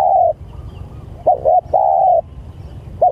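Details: A spotted dove calls to its companions with a long level coo, then quick double coos and another sustained coo, against a soft low hum.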